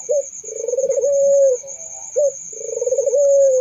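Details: Two coos from a Barbary dove, each a brief clipped note then a throaty tremulous purr ending in a smooth sustained tone, with a faint high whine behind.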